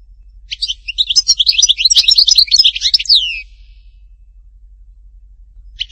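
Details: European goldfinch singing, linked to Htatba, Tipaza; one long, rapid, high twittering phrase of buzzy notes and downslurred whistles lasting about three seconds, then quiet and the start of another phrase.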